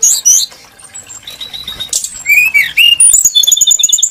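Brown-chested jungle flycatcher singing a lively, varied string of high, sweet whistles and quick chirps, some notes rising and falling, delivered in rapid bursts.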